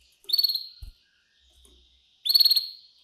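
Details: Canary giving a cengkok mewah style master song for young birds to copy: two short bursts of fast rattling high notes a couple of seconds apart, with a thin sustained tone between them and a soft knock.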